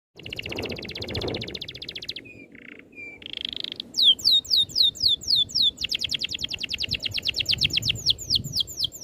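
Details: Songbird training song described as a tight continuous roll with neat rapid bursts: a buzzy rattling trill, brief flat whistles, then a fast series of sharp descending whistled notes and a dense rapid trill, about four notes per second.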